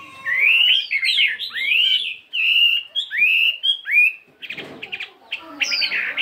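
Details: A 72-gram fighting Chinese hwamei doing its morning singing practice. Rich, looping whistled phrases twist up and down. A harsher, noisy burst follows, and then a high whistle.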